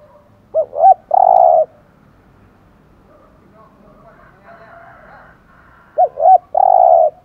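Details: Spotted dove cooing in the thổ voice style, a recording meant to stimulate other doves to coo: two low hooting phrases about six seconds apart, each a short double note followed by a long, throaty, wavering coo, with near silence between.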